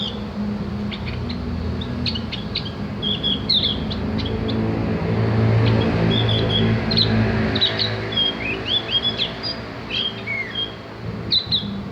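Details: Javan grey-throated white-eye, played as a tutor recording to teach birds to chatter and sing: sharp high chirps and short whistled slurs scattered across the clip over a steady low engine-like hum.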